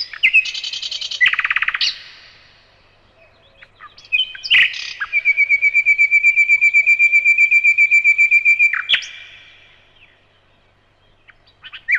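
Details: Evening song of a common nightingale: a rapid buzzy rattle, a pause, then a long run of quick repeated pulsed notes on one pitch lasting about four seconds, ending in sharp whistles.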